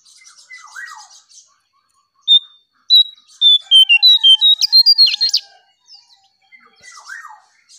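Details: Striped tit-babbler song used as a lure: a series of clear, high whistled notes stepping downward, then a fast run of sharp, rising whistles. Softer chirps come before and after.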